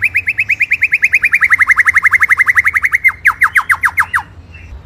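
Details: White-rumped shama singing in full rolling, shooting style. A fast, steady series of identical slurred whistled notes, about two per second, running for three seconds, then a sharper run of steeply falling whistles before a brief pause.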